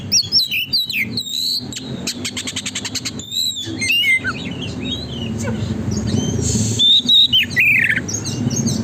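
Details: Oriental magpie-robin (kacer) in lively 'gacor konslet' song, used as a lure to make a kacer spread its tail: varied clear whistles, sliding notes and rapid buzzy trains of clicks, phrases tumbling quickly one after another.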